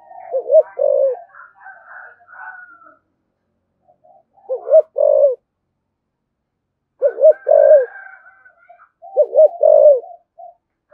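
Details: Spotted dove in thổ sấm style, thúc gù and calling coos. Four low phrases, each a wavering double note then a longer coo, spaced a few seconds apart. Twittering of other birds runs between them.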